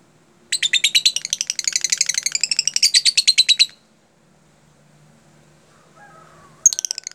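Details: Lovebird song in a tight, closely spaced style, played to train other lovebirds: a long, rapid run of shrill, scratchy chattering notes, a pause with a faint low hum, then another burst begins.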